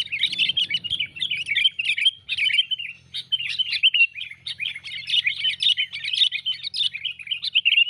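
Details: Sooty-headed bulbul lure call used for trapping birds: a dense, continuous run of bright chirping and chattering notes with brief pauses, jumbled and energetic throughout.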